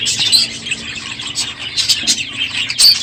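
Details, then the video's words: Many budgerigars in a crowded aviary, noisy in the morning at the end of the breeding season, making loud overlapping chirps, squeaks and warbled chatter with brief sharp high notes, a dense continuous flock din. "NOISY birds this morning!"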